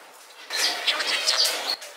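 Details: Male lutino budgerigar with a deformed beak talking: a quick burst of about a second and a quarter of raspy, chattering, speech-like warbling with thin whistled squeaks, set against a quiet room.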